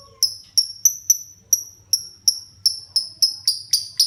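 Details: Pet lovebird of a child, just starting to sing often: a steady series of bright, sharp, high tweets, roughly three to four per second, quickening slightly toward the end, with a quiet low hum underneath.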